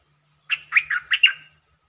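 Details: Red-whiskered bulbul singing a single fast phrase of five bright, chirpy, slurred notes lasting about a second, with a faint low hum underneath.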